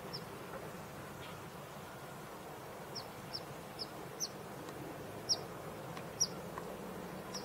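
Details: A Say's phoebe at Henderson Bird Viewing Preserve on 5 December 2022 gives short, high, down-slurred call notes, about one a second at an uneven pace, over a steady low rumble.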